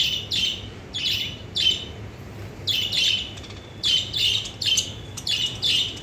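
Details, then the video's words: Lovebirds chattering in a new cage, giving repeated short, shrill squawking chirps in irregular bursts, a little under a second apart, against a faint low background hum. "love birds are talking about new cage"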